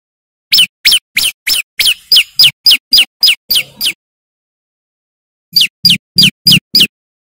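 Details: Loud, persistent song of a male bar-winged prinia, played to lure wild birds: a fast string of piercing downslurred notes, roughly three per second, then a silence and a shorter second run.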